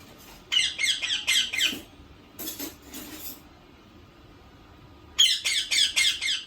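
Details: Indian ringneck parakeet kept indoors as a pet, giving harsh, grating squawks in quick bursts: four at the start, two more after a pause, then a run of about five, with faint room noise between.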